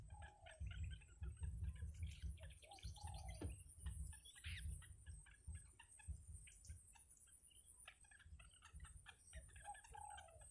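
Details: Nestling yellow bitterns fed by the mother bird give fast, clattering chatter of harsh clicks, with occasional drawn-out descending squeals and a steady high hiss throughout.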